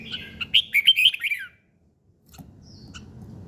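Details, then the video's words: Bird singing in the morning: a bright warbled phrase of quick rising and falling whistled notes lasting about one and a half seconds, followed by quiet with a few soft clicks and low room rumble. "Buổi sáng nghe chim hót chơi"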